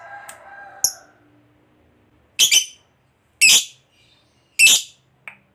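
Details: Lovebird fighter uttering 'ngekek' sounds used as a lure to provoke other lovebirds: three separate harsh, raspy bursts about a second apart, preceded by a faint low whistled tone and a short squeak.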